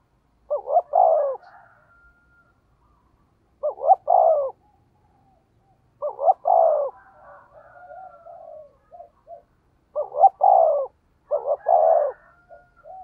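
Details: Spotted dove, a decoy bird singing in the 'thổ' voice, repeating a two-part coo roughly every three seconds, a quick rising note followed by a drawn-out falling coo, with faint murmuring notes between phrases.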